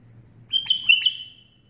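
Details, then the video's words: Bulbul singing while perched on a person's hand, a brief burst of clear whistled notes near one pitch with a couple of quick upward flicks, lasting about half a second, over a faint low hum. "تغريد بلبل على اليد"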